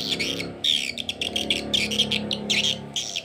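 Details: Swiftlet lure call used to attract swiftlets to roost: dense, high twittering bursts of quick chirps over a low, steady humming tone.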